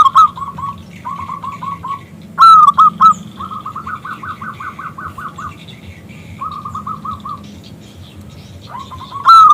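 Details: Zebra dove, a local perkutut, calling a male to sing: soft rapid note strings, then a loud burst of clipped coos, a long quick run of repeated notes, and another loud burst at the end.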